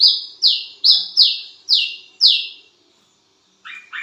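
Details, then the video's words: Wiceh bird calling vigorously in the middle of the night, giving six rapid, high, falling whistled notes in quick succession, then a pause and two lower, softer chirps at the end. "BURUNG WICEH MEMANGGIL WICEH GACOR TENGAH MALAM"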